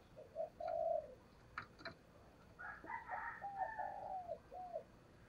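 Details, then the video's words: Caged spotted dove used as a decoy, performing the thúc gù cooing style to lure wild doves into a trap; soft low coos in a short run, then a quicker series of repeated coos, with faint clicks behind. "Tiếng Chim Cu Mồi Thúc Gù Bài Bản Dùng Kích Bổi Hiểu Quả"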